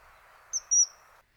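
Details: At a British wetland in early spring, a Common kingfisher gives two sharp, piercing, high-pitched whistles in quick succession, the second drawn out slightly, over a soft background hiss.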